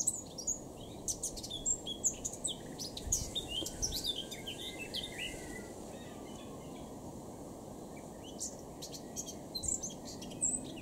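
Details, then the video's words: Eurasian blackcap singing in Cambridgeshire, UK, on 26 June 2016 at 2:22 pm: a quick run of varied, bright warbling notes, some rich and fluty, over a steady low wind-like rumble. "Blackcap singing"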